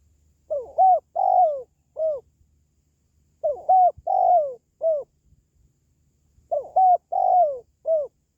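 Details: Three regularly spaced cooing phrases from a spotted dove, about three seconds apart, each of four notes with a long falling third coo; used for stirring caged doves or attracting wild doves to a trap.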